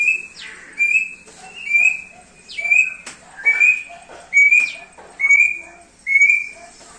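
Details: Thick-billed heleia singing for a training master recording: clear short whistles roughly once a second, several introduced by steep rising sweeps, with faint lower notes between.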